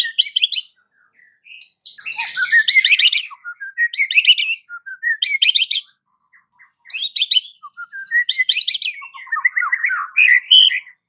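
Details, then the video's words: Afternoon white-rumped shama song used as a lure for a silent bird: loud harsh rattling bursts repeated every second or two, interspersed with whistled and trilled notes. "PANCINGAN Murai Batu SORE hari , langsung bikin Murai Batu bisu AUTO NGAMUK"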